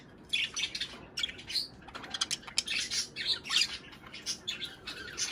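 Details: Budgerigar chatter meant to stimulate breeding: continuous high, scratchy twittering and chirping that rises and falls in loudness throughout.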